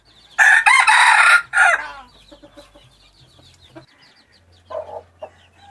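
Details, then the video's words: Crow of a hybrid red junglefowl rooster: one loud, raspy burst lasting over a second, broken near the end, followed by quiet clucks, a few soft chirps and a low hum. "Qaib qus txuam zoo nraug thiab qua tau zoo tshaj plaws ไก่ป่าลูกผสมเสียงขันดีมากๆ เสียงขันอมตะ"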